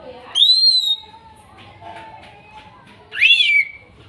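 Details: Greater green leafbird from Kuningan as therapy for a bird that stopped singing: a long clear arching whistle, a soft low whistle, then a buzzy rising note sliding down.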